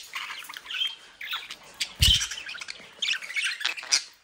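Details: Bred pet budgerigars kept in Den Haag, Netherlands, chatter in bursts of harsh squawks and nasal chirps, with a dull low bump midway through.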